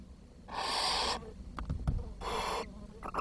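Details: Young barn owls at the nest during a food shortage; two drawn-out, breathy hissing screeches of under a second each, with soft clicks and shuffling in between.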